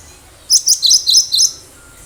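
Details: A lively wild cinereous tit, played as a lure for other birds: a rapid phrase of five or six high, sharp chirped notes run closely together, bright and loud.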